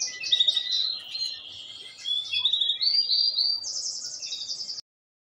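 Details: Canary song used to stimulate females for mating. Bright, high, rapid trills and rolling warbles flow without pause, climbing at the end into a fast, very high rattle before cutting off abruptly.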